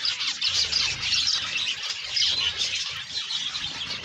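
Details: Zebra finches kept for breeding call together in a dense, continuous chatter of high, nasal chirps and squeaky notes that overlap throughout, with no single bird standing out.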